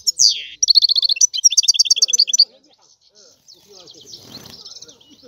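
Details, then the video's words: European goldfinch giving a falling slurred note and a burst of quick twittering chirps, then only faint background sounds for the last few seconds. "لا يمكنك ان تسمع اقوى من غناء هذا الحسون"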